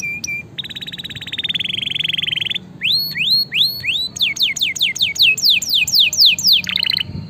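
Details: Energetic canary song for coaxing lazy canaries to sing: a brief whistle, then a long rapid buzzy trill, followed by a series of upswept whistled notes and quick downslurred chirps repeated several times a second.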